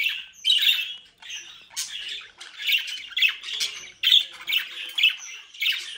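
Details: Pet budgerigars bred in Den Haag, Netherlands, keep up a continuous run of scratchy squawks and chirrups, over a dozen bursts in six seconds, overlapping and uneven in rhythm.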